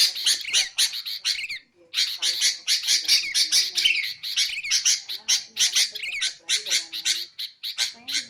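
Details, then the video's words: Sooty-headed bulbul, used for luring and for training songbirds. About eight seconds of busy, harsh chattering at roughly two notes a second, broken by one short gap, with faint lower whistles in between. "BURUNG KUTILANG untuk ocehan mantab"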